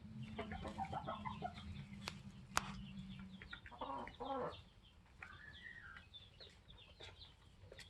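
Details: Flock of 21-week-old Polish layer hens with their protective rooster: soft, irregular clucks and short tonal calls, with a low steady hum early on and one sharp click near the middle.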